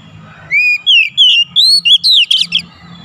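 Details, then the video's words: Kacer or magpie-robin song for drawing a quiet bird into song; a rising whistle, then a chain of sweet slurred and warbling notes with harsh notes near the end, over a low hum. "TERAPI MEMANCING KACER MACET BUNYI CEPAT KELUAR SUARA GACOR"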